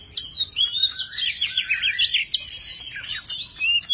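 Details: Tame Oriental magpie-robin sings a varied song while spreading its wings and tail: a continuous flowing warble of looping, rising and falling whistled notes, ending in higher sharp chirps.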